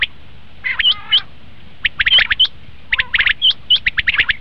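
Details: Common quail sounds for hunting: bright piercing chirps in irregular clusters, with a short gap, then a dense run of quick, slightly buzzy notes.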